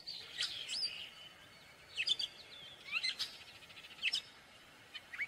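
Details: Gray catbird singing a jumbled string of short, squeaky, varied high notes in brief bursts separated by pauses of about a second, with scratchy chirps and slurred whistles over faint steady background hiss.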